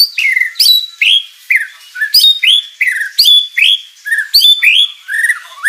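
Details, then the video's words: Energetic white-rumped shama song full of elaborate fill-in phrases, used to lure rival birds into answering: loud clear whistles with sliding, downward-curving notes, repeated roughly once a second with a steady bouncing rhythm. "MURAI BATU GACOR full isian materi mewah"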